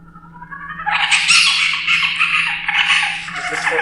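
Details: A spotted owlet, heard on a campus, gives harsh, screechy, monkey-like chattering that swells after a second and runs on in rapid, scratchy bursts over a faint low hum.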